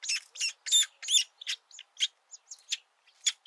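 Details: Woodpecker nestlings sticking their heads out of the nest to be fed for the first time; loud, rasping, chattering notes in an irregular run, nearly three per second.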